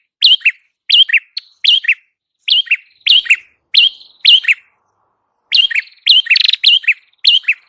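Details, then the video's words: Lively lure song of the red-headed prinia, known locally as prenjak kepala merah. Evenly spaced bright chirps, each ending in a low buzzy flick, repeat steadily. A short gap comes before a denser run of buzzing notes. "Masteran burung prenjak kepala merah Gacor,100% paling ampuh untuk pikat"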